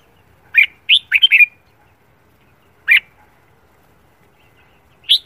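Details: Red-whiskered bulbul morning song practised for singing competitions: a rapid burst of chirped warbling notes followed by single spaced chirps, with faint background hiss.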